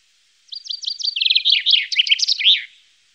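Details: A common chaffinch delivers a bright two-second phrase of quick repeated chirps that accelerate and drop slightly in pitch, running into a tumbling trill and ending on an emphatic flourish, heard clearly against silence.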